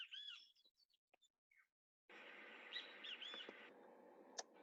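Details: Great Kiskadee in a built-up area of San José, Costa Rica: a loud, shrill, buzzy call, then a steady wash of background noise with a few sharp chirps, chickens audible in the background.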